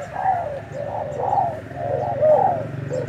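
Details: Decoy spotted dove, newly arrived and already dueling, gives low mellow cooing phrases, each a soft rising-and-falling hoot run in quick series about once a second, with faint rural background hiss.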